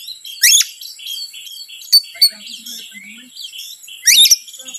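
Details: Oriental magpie-robin singing to provoke rival birds: soft warbled phrases broken by several loud, sharp, rising whistled bursts, with a low faint hum in the background.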